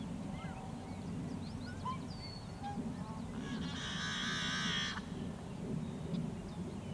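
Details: Yellow-headed blackbird in wetlands along the Great Salt Lake in summer: one loud, harsh, raspy buzzing burst lasting about a second, preceded by scattered short whistles and chips from other birds over a steady low rumble.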